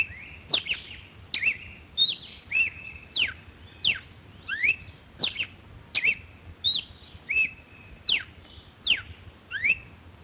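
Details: Red-cowled cardinal singing energetically: a long, dense series of bright whistled notes, fast downsweeps alternating with rising and flat-ended slurs, coming about every 0.7 seconds without pause.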